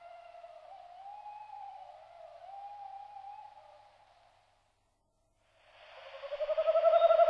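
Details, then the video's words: Tawny owl (Strix aluco) giving a long, wavering, hollow hoot that rises and falls, then a louder, harsher burst after a brief silence. "Carabos (Strix aluco)"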